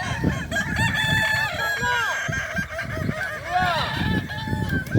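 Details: Competition roosters of the Kukuak Balenggek breed at a boko-class final in Sirukam, Solok Regency, give overlapping, stepped, arching crows, with one prominent crow near the end, over constant chatter from the watching crowd.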